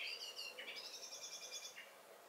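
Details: Common blackbird singing in a garden in May, with alarm calls given over the same session: quiet, distant-sounding warbled and whistled phrases with high twittering notes, fading toward the end over a light background hiss.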